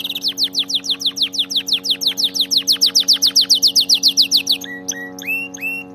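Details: Canary song meant for training canaries to sing: a fast run of high, sharply falling whistled notes, about three or four each second, then a few slower upswept notes near the end, over a steady low hum.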